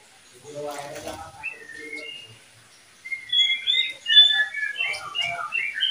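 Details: Oriental magpie-robin, one bird of a kept breeding pair, with a low voice-like murmur at first, then bright whistled and slurred notes rising and falling quickly in a busy, irregular phrase.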